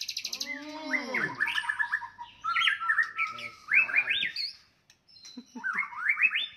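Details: White-rumped shama giving a fighting song to stir up rival birds. A low, curved harmonic sound opens the recording before a run of chattering, stepped whistled phrases and sharp notes, then a short silence and more rising whistles.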